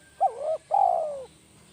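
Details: Spotted dove used as a lure bird, with a single 'kuk 1' call: an abrupt wavering coo, a pause, then a longer smooth coo that holds level before sliding lower. The recording is clean and quiet.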